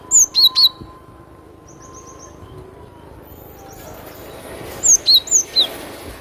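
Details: Cinereous tit song, described as very crisp: two bursts of high, sharp descending whistled notes, each a quick run of three or four, separated by a quiet gap with a faint high trill.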